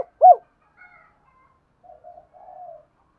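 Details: Lure spotted dove gives one loud, short, arched coo, followed by faint, muffled cooing notes as it calls to draw wild doves in.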